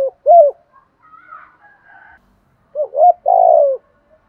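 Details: Spotted dove calling a fast 'kích bổi' coo: two short arched hoots, a soft high whistled interlude, then two more hoots and a long throbbing coo.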